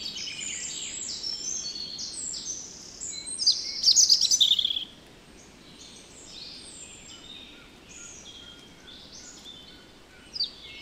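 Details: Song of a European robin recorded in the Netherlands: high, sweet whistled notes and slides in shifting phrases, a loud burst of rapid twittering near the middle, then quieter warbling.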